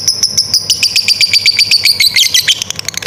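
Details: Ngekek long chatter from a lovebird fighter, suited as training audio for young or stalled lovebirds: fast high ticking notes, nearly four per second, ending in a jumble of sharper squeaky notes.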